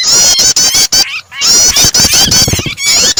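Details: Starter recording of a prinia combined with a distressed bird, intended to make other birds sing: two loud bursts of fast, high chattering notes and clicks around a short quieter break.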